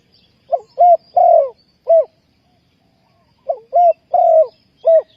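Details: Spotted dove calling as a lure for trapping wild doves. It gives two clear, loud cooing phrases: a short note, a rounded coo, a long descending coo and a final coo, with a quiet pause between.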